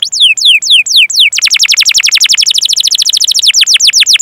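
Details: Canary song with cuit-cuit calls, played to encourage beginner canaries. Four slow, falling whistled notes lead into a rapid, evenly spaced trill of short descending chirps.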